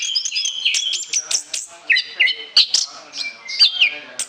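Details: Lure-quality song of an Orange-headed thrush, pouring out continuously: clear whistled slurs that rise and drop, mixed with sharp chips and short rattles in rapid succession.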